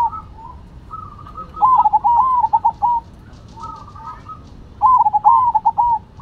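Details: Two zebra doves, a Cemani and a Silver, in a song contest: overlapping phrases of fluttering, rolling coos, one bird fainter and flatter, the other louder with quick stuttered notes, repeated in bursts.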